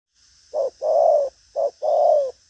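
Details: Đồng pha chân cua spotted dove, a strong cooer of lively habit, driving coos with a trailing note: two clean coo pairs, each a short low note followed by a longer one sliding slightly down, in near silence.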